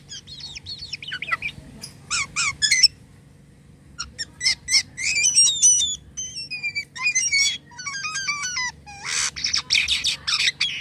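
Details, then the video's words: Actively singing starling (jalak kapas) giving unusual sounds: buzzy chirps and squawks, brief silence, then clear repeated whistled notes, stepped trills and harsh rasping bursts, high and fast, against a low background hum. "jalak kapas gacor corr suara aneh"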